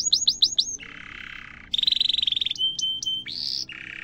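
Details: Canary song, the long 'cuit cuit' style used to train young canaries: upswept whistles, then buzzy rolls, a fast high trill, pure piping notes and a rising buzzy phrase in quick succession.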